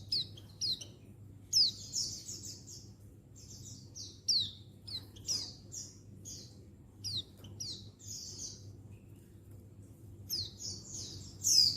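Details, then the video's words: Settled untulan female Oriental white-eye calling to males; a softer, busy run of quick buzzy high notes and falling chirps, bunched in rapid bursts with short pauses, low hum behind. "Untulan Betina Mapan Memanggil Jantan Perangsang Ngalas Burung Pleci Bahan"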